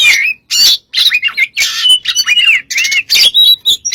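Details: Oriental magpie-robin in full, energetic song for use as a lure: rapid, dense run of harsh squawky notes mixed with sweet whistled slurs and chirps, nearly continuous with only short gaps.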